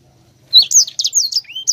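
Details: Sanger delivering its rolling, chattering gacor ngerol song: quick high slurred whistles and clipped chirps, with one lower rising whistle near the end, run together in a rapid lively phrase after a short silence.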